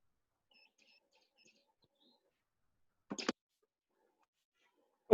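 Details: Grey-backed Camaroptera, from a Namibia, Botswana and Zambia birding tour, giving a brief, rapid burst of dry snapping clicks, like a camera shutter on rapid fire; faint soft chirps come before it.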